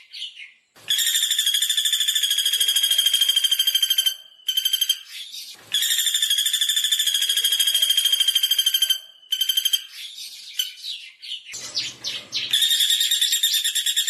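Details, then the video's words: A common flameback repeats long, rapid rattles of sharp high notes, each lasting three to four seconds with brief gaps, with scattered chirps and a low rumble between later bursts. "SUARA MASTERAN BURUNG PELATUK BAWANG"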